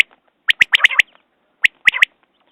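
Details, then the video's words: Common quail calling: two short bursts of sharp, clipped notes, each burst a quick run of three to four bright chirps followed by a brief rasping trill, separated by a pause of about half a second, with faint clicks between. "Batair Ki Awaz New Quail sounds"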